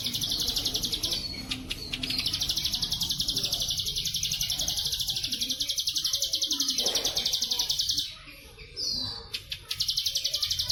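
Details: Plain prinia (ciblek sawah) delivering a long bren cililin trill for pet-bird training: fast, steady, buzzy pulses lasting about eight seconds, then a brief pause, one falling whistle, and the trill starting again.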